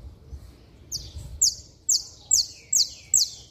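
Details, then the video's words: Hard-singing saffron finch, the kind of song played to fire up other saffron finches: six bright, sharp downslurred chips spaced evenly about half a second apart, each with a buzzy tail, background nearly silent. "Canário da Terra Estralando Muito - Ótimo Para Esquentar Qualquer Canário-da-terra!!!"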